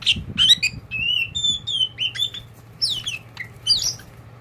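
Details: Pet oriental magpie-robin of the kacer poci type, very tame, delivering loud clear whistled notes, some long and level, others swooping down or up, with brief harsh chips between, faint hum beneath.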